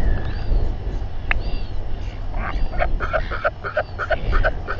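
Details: Royal albatross party with fighting in New Zealand at 7:42 pm, 27 January 2021, nest cam; a faint thin note, then a quick string of short regular pulses in the second half, over gusty wind.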